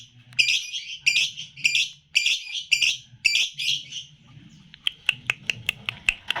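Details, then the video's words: Red-eyed Paud lutino lovebird aged three months gives short, harsh chattering bursts separated by brief gaps, about one burst every half second, then a string of sharp, clicking high chirps. "LOVE BIRD PAUD LUTINO MM USIA 3 BULAN JEDA RAPAT"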